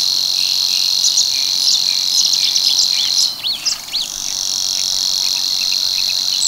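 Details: Savi's warbler singing at Tancat de l'Illa in l'Albufera, its breeding ground. A continuous strident, high-pitched reel drops out briefly midway and then resumes, with quick chirps and upslurred notes from other birds.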